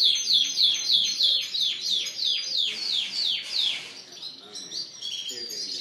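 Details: Canaries, Spanish Timbrado and Gloster, caged in a bird shop on April 9, 2016; a clear run of repeated descending whistled notes, about three per second, then a faster trill and other birds chirping.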